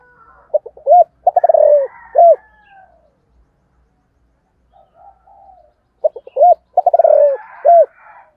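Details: Spotted dove with a 'thổ' voice cooing at morning to call wild doves, repeating its phrase about every five seconds: clipped notes, a rolling falling run and a looping end coo, with soft chirping from other birds.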